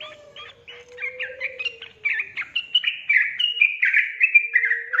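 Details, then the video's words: Yellow-vented bulbul, played to encourage lazy birds to sing, starting softly and swelling into a fast, bubbling series of whistled notes, with a thin low whistle audible early on and near the end. "PANCING TRUCUKAN MALAS BUNYI JADI GACOR"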